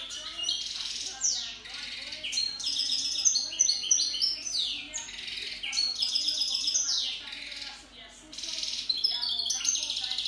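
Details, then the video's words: Caged goldfinch hybrid, a cross of white-throated and white-collared goldfinch, singing a fast, varied twittering song of high sweet whistles, buzzy notes and rapid trills, with brief pauses and faint background voices. "Mixto de jilguero garganta blanca y collar blanco"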